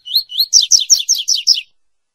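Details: A double-collared seedeater (coleiro) sings a classic 'tui tui' song, two high, clear opening notes then six quick, ringing down-slurred notes, a clean phrase with no other sounds, played for tutoring young birds.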